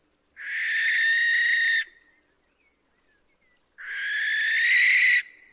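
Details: Two long hoarse screeches from a barn owl at night, each nearly one and a half seconds, harsh and slightly rising, with a quiet gap of about two seconds between them.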